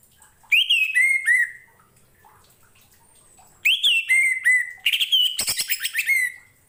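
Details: Orange-headed thrush song meant for training other birds: repeated phrases of a rising whistle then a drawn-out falling note, a pause, the phrase again, then a rapid buzzy rattling sequence ending in a whistled trill.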